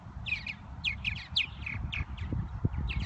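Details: Spring purple martins near Lake Michigan at Irving Park, Chicago, giving a quick run of rich, liquid chirps in short clustered phrases, about three bursts a second, against a low background rumble.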